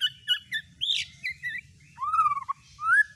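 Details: White-rumped shama lure song, used to provoke a caged bird into singing its full repertoire: a varied run of short whistled notes and chirps, a loud downslurred flourish, then clear rising whistles near the end.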